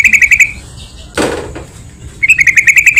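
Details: Lively yellow-vented bulbul phrases for luring other bulbuls: a quick run of gurgled notes, a brief rustling noise, then another fast bubbly string of about eight notes.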